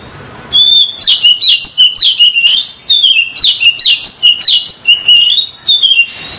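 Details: Lure song of an oriental magpie-robin, used for trapping: a steady, unbroken run of varied whistles and chattering notes lasting about six seconds, loud and rapid, with phrases rising and falling.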